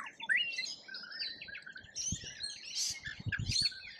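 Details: Several wild rainbow lorikeets at a feeder in Australia chatter with rapid, shrill chirps and harsh, grating screeches that overlap constantly, over a few low knocks and thumps.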